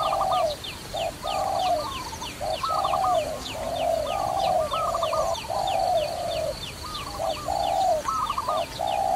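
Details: Dove heard during trapping, giving steady low coos, short and long notes alternating almost without pause. A second, slightly higher wavering voice overlaps, and rapid high chirps run throughout.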